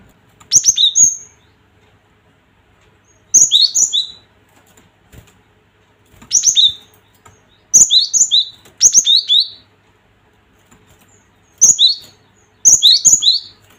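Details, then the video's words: Cinereous tit, a lure recording meant to rile fighting tits, gives clusters of sharp, high, down-slurred two-tone whistles, the bursts spaced one to three seconds apart, each repeating a bright higher note followed by a lower one. "Suara Gelatik ini bikin emosi gelatik batu Mental Petaraung"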